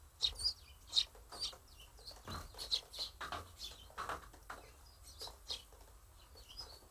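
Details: Several sparrows excitedly examining handmade nest-box apartments, lively chattering as they inspect the rooms; short sharp chirps overlap rapidly, some bright and high, others lower and rougher, with soft fluttering in between.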